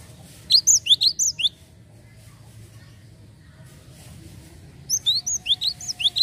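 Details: Java sparrow calls played as a lure: two bursts of about seven sharp, rising chirps each, separated by some three seconds of quiet with a steady low hum.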